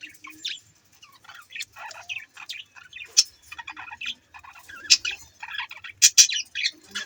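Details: Budgerigars, Australian birds, chirping: a busy stream of short harsh chirps and warbling notes, with occasional sharp bright squeaks standing out, dense and irregular throughout.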